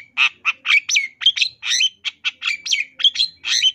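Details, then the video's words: Long-tailed shrike singing for caged-bird training, 2022, 'isian tambakan' fill: harsh squawky notes mixed with bent whistles, about three to four per second, in a clean recording. "MASTERAN CENDET GACOR FULL ISIAN TAMBAKAN"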